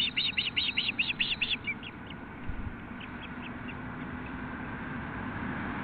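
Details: Osprey at a nest in Nelson, British Columbia, as one bird brings a fish, 5:33 pm on 25 June 2016: a fast run of about eight sharp whistled chirps, then fainter scattered peeps under steady wind-like rushing noise.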